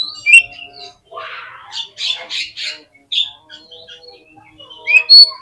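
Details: Oriental magpie-robin song used as a lure for quick responses and tail display: a sharp whistle, then a harsh buzzy rasp and grating bursts, quieter twitters, and a final loud whistled note.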